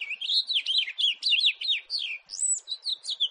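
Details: Continuous house finch warble: a steady stream of bright slurred notes, each rising or dropping quickly, with hardly a break for over three seconds.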